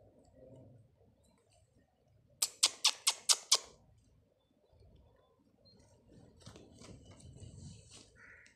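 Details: A pet Indian ringneck (rose-ringed parakeet, Psittacula krameri), said to be turning aggressive and biting its owner's hand, gives five harsh, rasping screeches in quick succession, then rustling, handling noise and one brief higher squeak.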